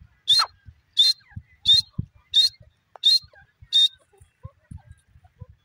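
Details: Sharp, ringing high calls of a male grey francolin, six in a steady series about two-thirds of a second apart, over faint low thumps and rustling.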